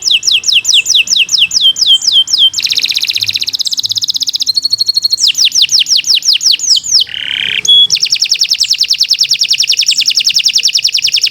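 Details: Caged canary, Indonesian Kenari, singing a long continuous master-tutor song: rapid repeated descending whistled sweeps, fast buzzy trills, a lower rolling phrase, then a long high trill, all bright and loud.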